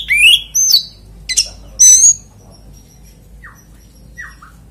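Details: Oriental magpie-robin lure song to get other magpie-robins singing: a few loud whistled and buzzy phrases in the first two seconds, then only faint, thin downslurred notes.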